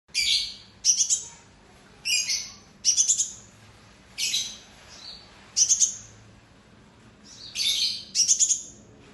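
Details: Purple-throated sunbird giving loud chirps: short bursts of high, bright, slightly rasping notes, often doubled, about eight bursts spaced roughly a second apart over a faint low background hum.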